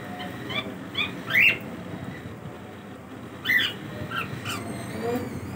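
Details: Cockatiels kept as pets, heard in their daily routine: a couple of loud, harsh rising squawks and softer chirps, set against constant room noise.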